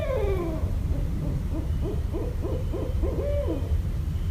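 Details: Barred owl in Westchester, New York, 5.1.17: a descending wail opens, followed by around seven rapid barking hoots and a final stretched note, against a low rumble.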